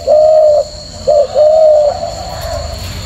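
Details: Very tame male spotted dove, ringed white on the right leg and purple on the left, cooing: a long, even, mellow coo, a brief clipped note, then another long drawn coo, with a steady electrical hum behind.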